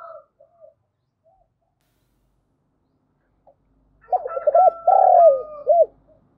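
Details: Decoy spotted dove calling to wild birds during a morning session. After near silence, a single coo phrase arrives: a quick stuttering of short notes, a long rich hoot and a final short arched coo, with a faint thin whistle over it.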